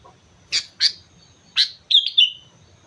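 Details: Sooty-headed bulbul on Mount Slamet: three harsh, scratchy notes spaced apart, followed by a quick bubbling whistled phrase, with a faint low background hum.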